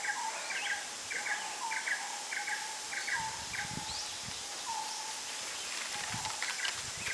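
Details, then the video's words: Forest birds near Phu Sing, Sisaket, Thailand: a repeated paired chirp, roughly twice per second, over lower rising whistled notes, with a soft insect hum and faint low thumps beneath. "Singing Bird - Forest Birdsong"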